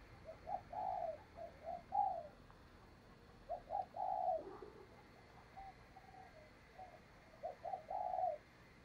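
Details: Lure spotted dove calling to attract wild doves for trapping: repeated low, hollow coo phrases of two or three notes over steady background hiss.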